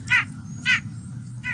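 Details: White-breasted nuthatch (Sitta carolinensis) calls, not song: nasal, honking 'yank' notes, three in about 1.5 seconds at uneven, unpredictable intervals with pauses, over a low background rumble.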